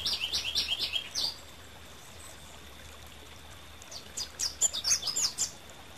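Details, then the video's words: Song of a Rufous-capped warbler. A quick series of sharp, high notes opens the phrase, followed after a pause by scattered bright chips, with a steady faint hiss behind. "Canto de la Reinita Coronirrufa"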